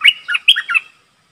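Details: Streak-eared bulbul calling as a decoy for wild birds; one brisk phrase of five bubbly, slurred chirps, falling silent after under a second.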